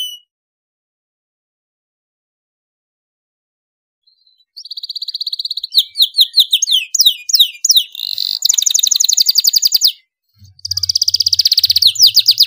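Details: Domestic canary singing loudly for training young canaries: after about four seconds of near silence, a faint note leads into a buzzy trill, tumbling swept whistles, dense rattling trills, a brief break and another fast pulsed trill.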